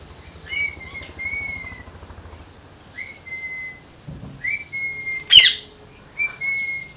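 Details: Parrot giving drawn-out, level whistles, each slightly upswept at the start and repeated every second or so, with a sharp click partway through and a quiet background.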